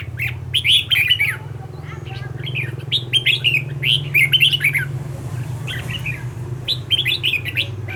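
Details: Red-whiskered bulbul decoy bird used for training other bulbuls to sing, giving a lively song of quick, bright whistled and warbled phrases in bursts, with short pauses, over a steady low hum.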